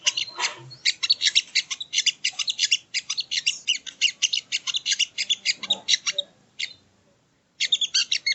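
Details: Sogon (sogo ontong) songbird, recorded as training audio for cage birds: dense runs of high, sharp chirps repeated rapidly for about six seconds, a short pause, then the chattering resumes.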